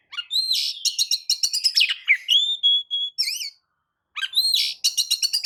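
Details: Oriental magpie-robin belting a provoking song to stir other birds: fast rhythmic chips stacked with whistles, a smooth falling slur, a brief silence, then the rapid chipping starts again.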